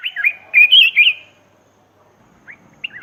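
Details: Black-crested bulbul lure sound for wild birds: about a second of rich, rolling warbled whistles, then near silence broken by two or three isolated short chirps.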